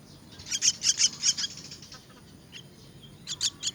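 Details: Myna chicks begging while being fed, a dense flurry of shrill, raspy chirps in the first second and a half, quiet, then three more sharp cries near the end.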